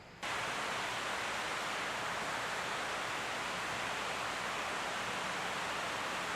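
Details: After a brief quiet start, a loud, even rush like falling water or wind fills the recording, with no animal sound heard.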